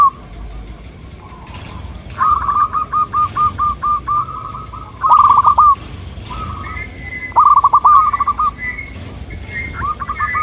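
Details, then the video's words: Local zebra dove song as a lure for wild doves: an evenly spaced series of soft coo notes, then loud stuttering bursts, with a higher whistling voice joining near the end. "Sudah di buktikan dengan suara ini, burung perkutut lokal langsung nyaut jadi rame"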